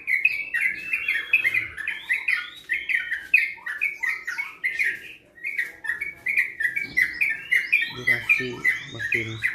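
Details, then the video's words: Long 'ropel' run from a young Sooty-headed bulbul kept in Bandung, recorded March 2021: quick chattering whistles tumbling one after another, a brief lull midway, then a busier burst with faint low background noise. "Trucuk gacor ropel panjang"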